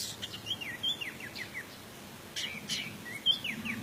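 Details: Indonesian orange-headed thrush, teler-style lure song with a rich fill. It has a series of descending slurred whistles and a few sharp high notes in two loose phrases, with a brief lull midway.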